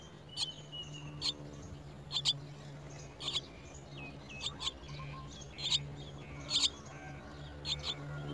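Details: Chestnut-tailed starling chicks at the nest being brought worms, giving short, sharp, high chirps in bursts about once a second, some doubled, over a steady low hum.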